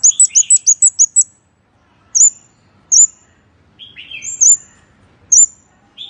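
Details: Scarlet-backed flowerpecker lure call: a rapid burst of seven thin, very high ticking chirps, then spaced single sharp high notes about every second, mixed with lower, slurred twittering notes in a quiet setting.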